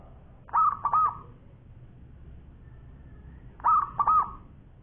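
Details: Local zebra dove of champion standard in lively long-voiced song: two cooing phrases about three seconds apart, each made of two soft, warbled notes that fade out smoothly, over low background noise.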